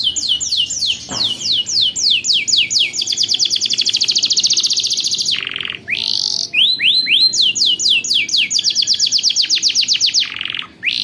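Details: Canary singing a long rolling song as a tutor for juvenile canaries: series of descending swept whistles speeding into fast repeated trills, two short low dips, then rising slurred notes and renewed rapid rolls over eleven seconds.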